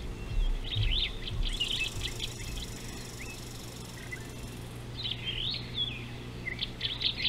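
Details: Superb starling on an African river wildlife cam, 19 July 2018, giving bursts of jumbled, chattering high notes and squeaky whistles, pausing midway, over a steady low hum with an insect-like hiss.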